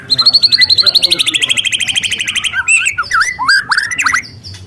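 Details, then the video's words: Free-living young speckled White-rumped shama delivering a long, loud canary-like burst: a fast rattling trill sliding slowly downward for over two seconds, then varied swooping whistles. "Suara asli murai lepas trotol dengan tembakan kenari panjang dan keras"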